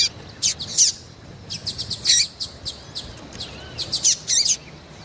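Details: Double-collared seedeater female in heat, calling a lot and peeping: irregular bursts of thin, very high chirps and short trilled clusters, some notes sliding, separated by brief pauses over steady faint hiss.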